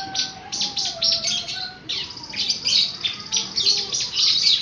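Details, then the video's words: Horsfield's bush lark song played as training material for young larks: bursts of high, scratchy chirps, several notes in quick succession, broken by short pauses, over a steady lower whistled tone. "Masteran Burung Branjangan"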